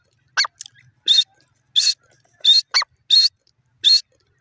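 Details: Teetar (francolin), called dakhni teetar, giving loud harsh calls, each a short buzzy burst centred high with a whistled core, repeated about every 0.7 seconds in an uneven series.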